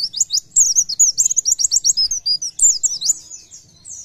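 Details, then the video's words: Oriental white-eye in full gacor song, nembak style: a continuous rapid stream of piercing high chirps and zigzag slurs for about three and a half seconds, fading at the end. "PLECI GACOR NEMBAK BIKIN PLECI TAMBAH GACOR"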